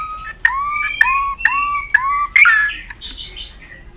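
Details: White-rumped shama in an aggressive display, singing to stimulate other birds: four evenly spaced sharp notes with slurred whistles, followed by a raspy, buzzy flourish.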